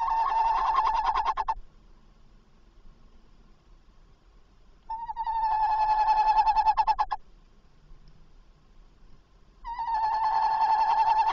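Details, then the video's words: At a nest box on the night of 27 August 2024, 21:45, a tawny owl gives three drawn-out, hoarse, wavering calls, each about two seconds long and separated by gaps of roughly three seconds. "Bosuil Roepend in de nestkast"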